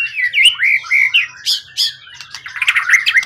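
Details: Captive competition bird, originally wild-caught from the forest, tail above 20 cm, long-kept and steady, singing at its best: loud warbled whistles sliding up and down, then bursts of quick chirps and buzzy trills.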